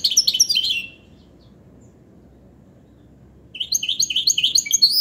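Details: ['A goldfinch hybrid gives two bursts of rapid, jingling twitter separated by a few seconds of silence, each burst made of fast, bright, repeated upslurred notes.']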